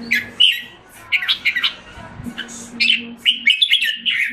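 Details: Singapore cage jambul, a red-whiskered bulbul getting back into condition, gives bright chirping and warbled notes in quick clusters, some sharper whistles near the end, with a faint low hum in the background.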